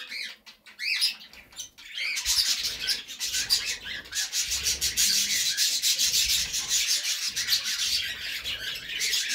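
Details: Pet budgerigars give short arched chirps, then a dense, scratchy, rasping chatter.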